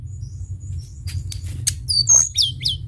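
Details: Sunda bush warbler lure song from a very vocal bird: a quick burst of high, thin whistles and sharp downslurred notes over a low steady rumble.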